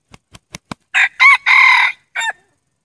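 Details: Male red junglefowl kept as a decoy for luring wild junglefowl crows once. A few sharp clicks open, then a loud, harsh four-part crow: two short stuttering notes, a long held ringing note, and a brief clipped ending. The background is silent.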